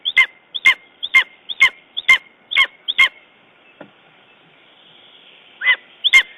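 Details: Lesser spotted eagle at the nest, Estonia, 14 June 2011, after a raven attack: a rapid series of seven loud yelps about every half second, a pause of faint sound, then two more yelps.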